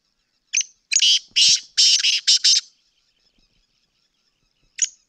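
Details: Sindhi black francolin calling in a single phrase of harsh, scratchy, clipped notes in a fast series of about six bursts, followed by quiet and one last lone rasping note.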